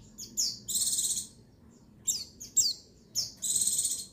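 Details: Female white-eye call to excite males, 22/6/21, with two short chirps leading into a long pulsing buzzy trill, a burst of sharp notes, then another trill.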